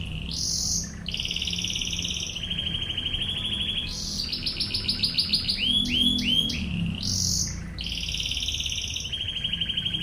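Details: Domestic canary in ngebren 'tembakan' tutor song: high rolling tours alternate with lower steady trills, and a middle burst of rapid chopped notes and looping whistles. Some low hum sits underneath.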